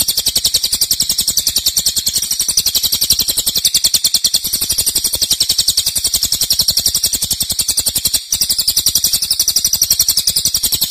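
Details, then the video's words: Extended cililin song used as master material for cage birds: a continuous, piercing, high chatter of very rapid repeated chirps, steady and forceful with only one tiny break. "Cililin nembak keras dan Rafat durasi fanjang"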